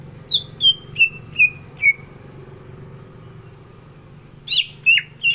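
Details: Greater green leafbird (cucak ijo), 'gacor isian' singing: five evenly spaced whistles stepping lower in pitch, a pause, then three harsher, rougher notes.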